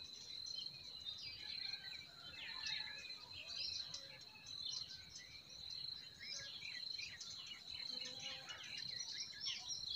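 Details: Quiet springtime forest chorus: birds chirp and twitter irregularly, about one burst a second, beneath a steady high insect whine and faint hiss.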